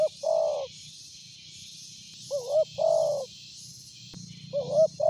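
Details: Loud-voiced spotted dove, recorded for use as a lure, giving low mellow coo phrases: a short wavering note, then a longer steady coo, with phrases about two seconds apart over a pulsing high insect-like buzz.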